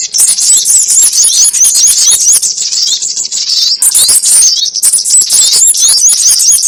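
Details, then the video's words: Trapping lure of the sogon ontong bird: an almost unbroken stream of very high, sharp chips and squeaky twitters, with one short pause partway through. "SUARA PIKAT BURUNG SOGON ONTONG"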